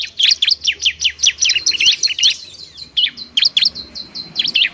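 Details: Bar-winged prinia, 'semi' cage-bird variety, singing noisily to stimulate lazy singers: a fast, dense string of shrill, high chirps, about two to three per second, almost without pause.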